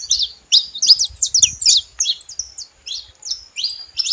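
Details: Saffron finches at a feeder give crisp, high chirps, many of them falling in pitch. They come in quick groups with short gaps between, and a faint knock is heard near the middle.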